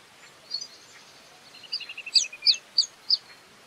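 Indian grey hornbill giving high, thin squealing notes: a quick run of short piping notes, then sharp descending squeaks about every third of a second over soft background hiss.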